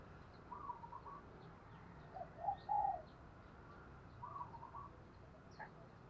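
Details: Spotted dove decoy bird with a 'thổ đồng' voice, used to lure wild doves: low hollow coo phrases in three separate bursts, the middle one loudest, with faint high chirps from other small birds scattered throughout.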